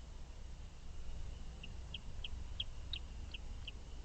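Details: Chimney swift at an artificial roosting tower in Valencia, Pennsylvania, on 5 May 2023, the first night swifts arrived to roost, giving about seven high, sharp chips, roughly three per second, over a steady low rumble of wind or traffic.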